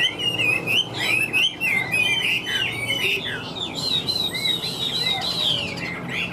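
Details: Chinese hwamei taken from the wild, singing hard and loud: quick chattering warbles and twisting slurs give way to a long, high, bright whistled line with sweeping notes, about three phrases per second.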